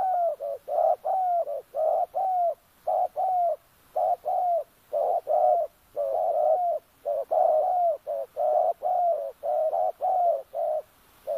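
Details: Decoy Spotted dove luring wild doves in an oil palm plantation at Kampung Luagan, Sabah; mellow, rounded mid-pitched coos given in a fast, steady run, roughly one per second, some paired, with no other clear sounds.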